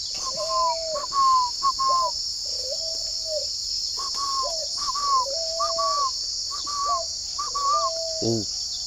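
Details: Morning cooing from a caged spotted dove at a Vietnamese bird farm in Ba Vì, Hanoi; a rapid run of mellow paired coos, high then low notes alternating steadily, with a brief harsh sound near the end and constant insect drone behind.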